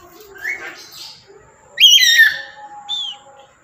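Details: Tame black-capped lory kept as a pet: a rising whistle, a soft rasp, then a loud harsh warbling screech with wavering pitch, ending in a short descending whistled note.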